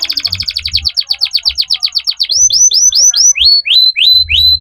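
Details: Singing Belgian canary: a fast rolling trill of repeated high notes slowing into widely spaced, sharply rising whistled sweeps, each clear and bright, with soft low knocks in the background.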